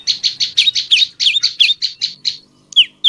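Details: Prenjak lumut tailorbird singing, used as a lure so other males and females start calling: a dense string of about a dozen bright chirps in quick succession, a pause, then two sharp descending notes.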